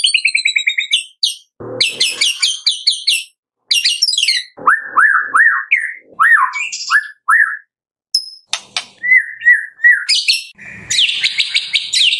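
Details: Medan white-rumped shama singing continuously with full varied mimicry, used as a lure to make other shamas sing: rapid high chattering trills, then repeated rich downslurred whistles, sharp clicks and a final burst of dense twittering.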